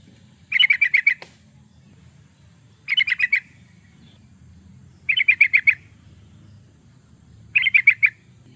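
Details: Yellow-vented bulbul recording meant for luring or training birds: four evenly paced bursts of quick chattering notes, each about half a second long and two to three seconds apart, over a low rumble.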